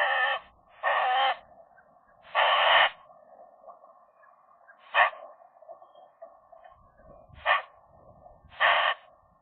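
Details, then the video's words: Young Eurasian magpie pair courting inside the nest in winter, in January: six harsh, grating calls, some long and raspy, others short and clipped, spaced a second or more apart, over a constant faint hum. "magpies, short flirt inside the nest in January"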